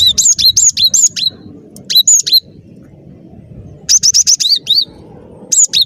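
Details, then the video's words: Energetic cinereous tit song for trapping lures: fast sequences of high, sweet two-note phrases, several bursts of four to six notes with short gaps between them. "Suara Burung Glatik Batu Gacor"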